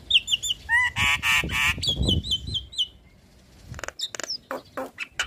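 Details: Black-winged starling, a caged singer said to start calling after being stressed and silent; ringing whistled notes and a burst of loud harsh squawks, a descending series of short whistles, then scattered clicks and rasps.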